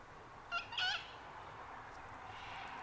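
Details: Sulphur-crested cockatoos at Mt Coot-tha, Brisbane, Queensland, on 6 November 2022, recorded with a Canon R7: a short harsh raspy screech in two bursts near the start, then steady background hiss and faint distant sounds.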